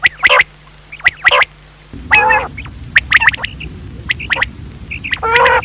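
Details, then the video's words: Quail in Pakistan, a call used for night hunting, calling in short, sharp, high notes about once a second, with a few harsher, fuller bursts over a steady background hiss. "Batair ki awaz raat k shikar kalea awaz"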